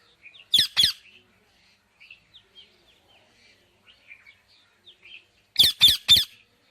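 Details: Soft scattered chirps from an Indian ringneck parakeet between bursts of loud, harsh screeches: two at the start and three in a rapid row near the end.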